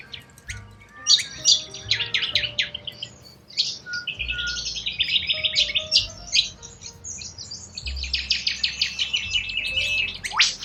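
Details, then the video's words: Wild Australian corella cockatoos calling together: a continuous jumble of rasping screeches and short squawks, some rising sharply at the end, with low music tones in the background. "WILD Corella Cockatoos"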